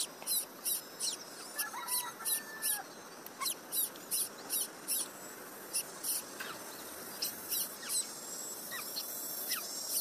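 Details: Late-hatched little pied flycatcher chick that often misses out on food, begging with thin, very high squeaks repeated roughly twice a second over a steady background hiss.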